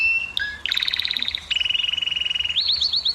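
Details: Canary singing to stimulate females to mate. A plain whistle and low note lead into a buzzy chatter, then a long rapid trill, ending with repeated rising upslurred notes.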